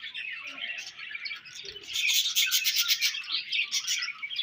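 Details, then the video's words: Busy, buzzy twittering from budgies builds from softer chirps into a louder, pulsing chatter that continues to the end. "Budgies Chirping Sounds"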